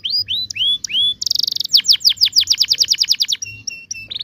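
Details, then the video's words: Canary in full ngerol song, used to coax young canaries into singing; a few looping whistles, a dense buzzy rattle, a fast trill of down-slurred notes, then short flat piping notes. "kenari gacor panjang TEMBAKAN NGEROL ini ampuh buat pancingan kenari paud belajar bunyi"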